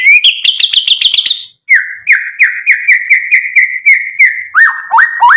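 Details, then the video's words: White-rumped shama singing mimicked phrases as bait to provoke a response: a quick high chattering series, then a steady row of lower slurred whistles about twice a second. Closes with upward-swept whistles. "MURAI BATU GACOR bikin EMOSI Langsung NYAUT BUNYI BONGKAR MATERI ISIAN ampuh buat PANCINGAN"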